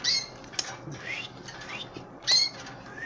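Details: Canary chicks and an old canary hand fed at home; high harsh calls at the start and again after two seconds, with softer rising whistled notes and clicks in between.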